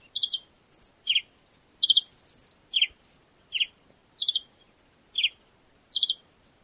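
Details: An African sparrow chirps in a steady series, each call a quick double or triple high note with a sharp downward sweep, repeated a little over once per second against a quiet background.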